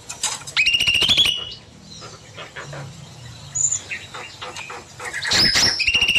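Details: Bulbul in an aviary in the evening, singing long and continuously: bright whistled notes near the top of its range run into fast chattering phrases, then a quieter stretch with scattered chirps before another burst of song.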